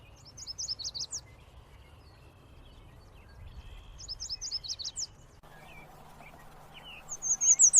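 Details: Yellow warbler repeating short songs of high, sweet, quickly delivered notes, three phrases spaced a few seconds apart. Each phrase ends in a slurred flourish, with a few softer chips and other faint bird notes between them.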